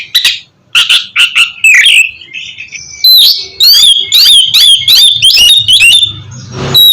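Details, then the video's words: Oriental magpie-robin song for prompting a silent bird: sharp chirps and slurred whistles, a thin drawn-out note, then a rapid string of loud, bright, ringing whistled phrases. "terapi kusus untuk penggacoran burung kacer yg masih malas bunyi atau macet"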